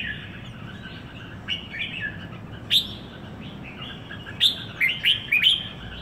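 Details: Red-whiskered bulbul, caged in Singapore, gives scattered sharp whistled notes, then a quick cluster of four bright chirping notes near the end.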